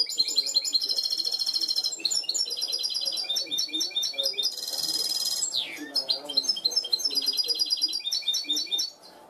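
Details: A trained goldfinch hybrid, schooled to a clean song, pours out a fast, unbroken song of bright twitters, ringing trills and short buzzy rattles, high-pitched and constantly varied.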